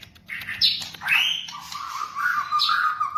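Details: White-rumped shama singing, played to train caged birds: short high squeaky notes, an upward-sweeping whistle, then a sustained warbling phrase that wavers steadily at a lower pitch.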